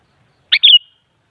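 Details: Kutilang, the sooty-headed bulbul, in a recording meant to make a kutilang respond and sing: a single quick liquid phrase, a burbled note followed by a clear falling whistle that trails off, with a silent background.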